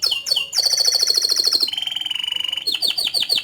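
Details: Canary song of quick rippling notes flowing into a dense, high buzzing roll, a lower steady rattling trill, then sharp descending chips.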